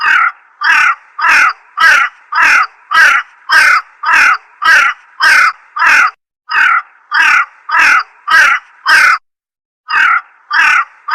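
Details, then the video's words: A slender-billed crow (Corvus enca) gives harsh, rasping caws in a steady series, about two every second, with short pauses and no other sounds. "SUARA ASLI BURUNG GAGAK HITAM"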